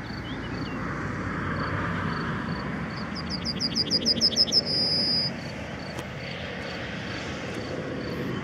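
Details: Yellowhammer song: a run of about nine quick repeated chirps followed by a long sustained high note, heard over low rumbling vehicle or aircraft noise and a faint repeating insect-like tone.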